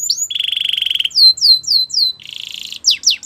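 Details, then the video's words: Canary training song: an opening whistle, a rapid buzzy rattle, four drawn-out downward whistled slurs, a second rattle, then quick descending notes. "The best canary sounds!! Canary training song"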